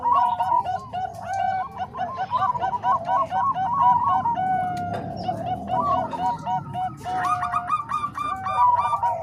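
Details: Overlapping zebra doves, Bangkok and Cemani Kolbuntet voices combined for training other doves: fast, rhythmic cooing phrases with a longer drawn note midway, followed by renewed dense coo runs.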